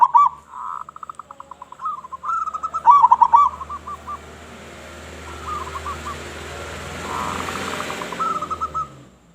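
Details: Local zebra dove in full song with a big voice, used to lure other zebra doves: rapid stuttering coos and rolling trilled phrases around one pitch, fading into a steady hiss midway before the cooing returns more faintly.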